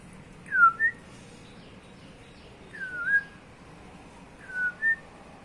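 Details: Pet cockatiel whistling a two-note phrase, a falling slur followed by a short higher note, repeated three times about every two seconds in a quiet room.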